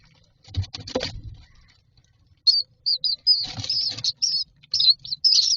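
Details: Common myna nestlings in a nest box calling for food: after some rustling and scraping, a burst of short, high, rasping squeaks repeated about twice a second.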